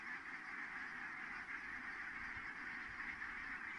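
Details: Many geese calling as they land at Kulgur, Estonia, 4 May 2018, 17:58; an unbroken wall of overlapping nasal honks and cackles from the whole flock, evenly loud across the few seconds.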